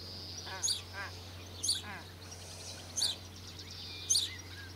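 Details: Australasian crested grebe pair with two 16-day-old chicks, Lake Benmore, Mackenzie Country, as a parent brings fish and tries to feed a feather. Coarse buzzy calls and sharp high squeaks repeat about once a second over a low hum.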